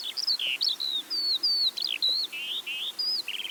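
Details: Skylark over West Sussex wheat and barley fields, singing from high in the sky: quick sequence of clear, high whistled notes and buzzy slurs, some rising, some falling, delivered in tight bursts with short gaps.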